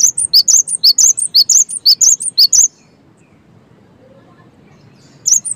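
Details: Gacor-style song of a cinereous tit (gelatik batu): rapid series of high, bright, slurred whistles, two per second, for about two and a half seconds, then a silent pause before the same notes resume.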